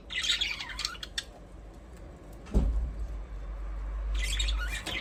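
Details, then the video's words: Pet budgerigars chirping in short high bright bursts at the start and again near the end, over a steady low rumble with a single thump in the middle. "Budgies parrot chirping sound"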